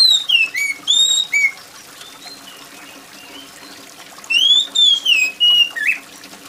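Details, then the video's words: Oriental magpie-robin singing loud, shrill phrases of slurred whistles, with a quiet gap between bursts and a soft patter of rain in the background. "dengar kacer gacor + suara air hujan"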